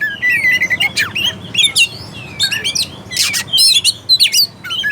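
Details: Oriental magpie-robin song used as a lure to provoke a lazy, less combative bird into singing: varied high whistled phrases, upslurred and downslurred notes mixed with harsh rasping bursts, delivered in quick irregular sequence.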